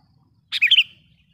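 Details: Sooty-headed bulbul lure call: one short phrase of three or four rapid, liquid notes that falls and then rises, trailing briefly. Quiet low background noise before and after.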